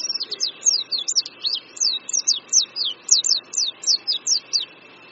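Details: An Oriental white-eye perched on a branch above a creek at Qingdao University, Shandong, China, in spring 2014, sings a fast, high twittering run of thin descending notes, about three per second, with a steady faint background whine.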